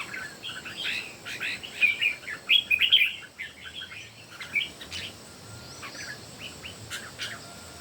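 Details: Red-whiskered bulbuls, three birds in competitive song, deliver clusters of rapid bright warbled notes around the middle, with scattered quieter chirps before and after and steady background hiss.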